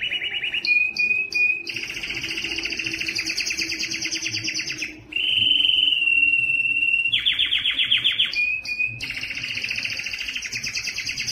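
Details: Belgian canary song to arouse females for mating: chattering trills alternate with thin whistled notes and a loud sustained roll in the middle, delivered continuously and rapidly.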